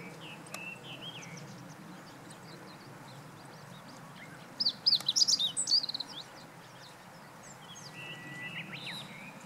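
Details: Singing meadow bunting, recorded 20 March 2015, delivers a single brief burst of bright, high, jumbled notes in the middle of an otherwise quiet stretch with faint distant chirps and low rumble.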